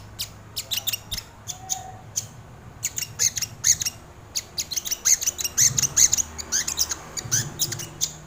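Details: Lively sogon bird song for luring and training birds: dense, high, sharp chirps and ticking notes in quick irregular bursts, growing busier midway, with faint low background hum.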